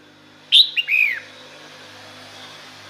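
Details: Female red-whiskered bulbul calling to males: one clear call, a high opening note, a brief chip and a downward-curving slurred whistle, followed by low steady hiss and hum.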